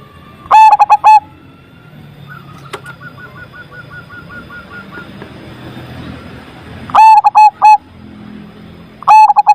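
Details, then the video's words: Strong zebra dove song for stirring non-singing doves: short bursts of quick, stuttering coo notes spaced several seconds apart, with a faint run of evenly repeated higher notes from another bird and low rumbling background noise between. "PERKUTUT AMPUH ATASI PERKUTUT MACET SUARA BESAR"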